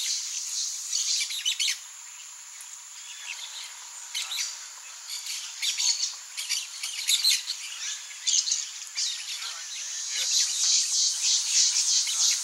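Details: Blaze-winged parakeet (Pyrrhura devillei), a rare bird: bursts of sharp, high, rasping chirps in irregular clusters, some overlapping as if from several birds, with quieter gaps between.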